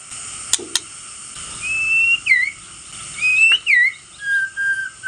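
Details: White-rumped shama, male, recorded as a lure to provoke rival shamas: two clear whistled phrases, each rising then ending in a quick looping flourish, followed by softer level whistles, with two sharp clicks near the start.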